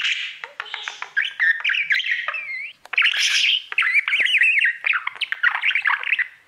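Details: A pet budgerigar chatters to its mirror in a steady, animated warble of squeaky whistles, clicks and buzzy trills, with one brief pause.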